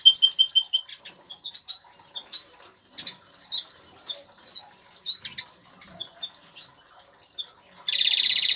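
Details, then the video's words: Agate-coloured Major goldfinch kept in an aviary opens with a ringing stacked trill. Short high twitters and slurred chirps follow, spaced by brief pauses, and the song closes on a sudden harsh, buzzy wheeze. "zingende Major Putter of wel singing Goldfinch"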